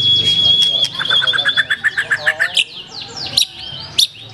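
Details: Black-tailed white-rumped shama with a prominent song: a high held whistle, then a fast run of short, evenly spaced notes descending in pitch, followed by a few isolated sharp high chips.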